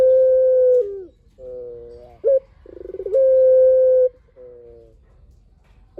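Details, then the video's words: Barbary dove giving long drawn coos for luring other doves: a steady low coo dropping at its end, a softer hollow note, a quick sharp call, a pulsed rattle leading into a second long coo. "PUTER GACOR SUARA PANJANG"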